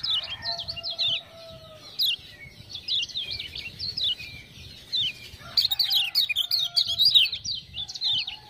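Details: Lemon-bellied white-eye from Lombok, a tutor bird provoked by 'ciak-ciak' sounds, delivers broken runs of high zigzag warbling. Lower steady drawn-out tones sound faintly in places.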